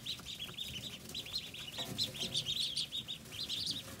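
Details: A group of Pekin ducklings, recorded 14 August 2020, keeping up a dense run of short, high, upslurred peeps, overlapping and nearly continuous, with soft background rumble.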